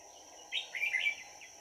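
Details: Decoy red-whiskered bulbul singing to lure wild birds on 22 December 2018, a single quick warbling phrase of a few chirpy rising and falling notes against constant background hum.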